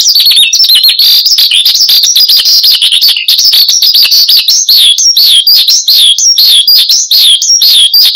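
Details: Horsfield's bush lark (branjangan), caged and singing hard, recorded as a lure and master song; dense chattering opening gives way to repeated high upslurred and downslurred whistles.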